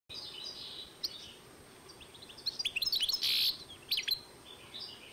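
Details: European goldfinch and canary hybrid, recorded in 2012, singing a short burst of twittering, high chirps and a brief harsh rattle, with softer twitters before and after and faint background hiss.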